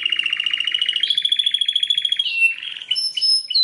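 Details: Belgian canary giving a long rapid rolling trill that slowly rises in pitch, followed by varied whistled notes.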